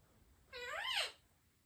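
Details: Pet African ringneck parrot indoors giving a single harmonic call of about half a second that rises and then falls, in a quiet room.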